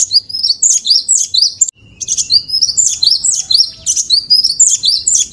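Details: Master song of a cinereous tit used for training: a steady stream of quick, piercing, high notes repeated about twice a second, broken by one short pause, with nothing else audible.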